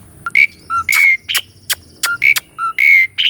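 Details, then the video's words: A caged Asian pied starling performs master song used to stimulate a non-singing bird. Clear whistles at two alternating pitches are interleaved with short harsh, noisy notes in a steady, rhythmic back-and-forth. "KICAUAN BURUNG JALAK SUREN UNTUK MASTERAN JALAK MACET DENGAN SUARA YANG MERDU INI..!!"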